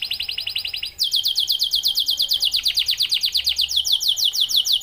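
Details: Canary of the F1YS Starblue line singing: a fast trill of repeated high notes that switches after one second to a louder, rapid series of downward-sweeping chirps about six per second, with faint low hum behind.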